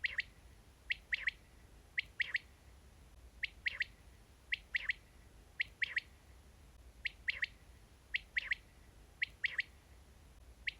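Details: Quail call used to lure quail into nets: a quiet, sharp three-note phrase, two quick notes then a third, repeated roughly every second, over steady low background hiss.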